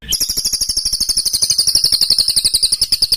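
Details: Harsh rapid bursts of a small bird, used to tutor contest songbirds: one unbroken, very high rattling trill of about eight pulses a second, falling slightly in pitch across three seconds.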